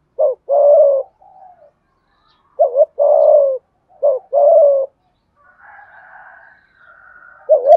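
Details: A spotted dove used as a decoy, calling to provoke wild birds: a short two-part coo, a brief note then a longer throaty phrase, repeated three times, with a faint higher hum between phrases.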